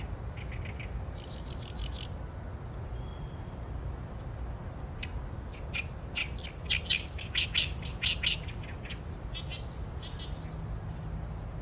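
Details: Harsh, rhythmic song of an Oriental reed warbler, recorded with a Sony A7M3: a short chattering phrase opens, then a pause, then a long loud run of rasping repeated notes with squeaky whistles mixed in.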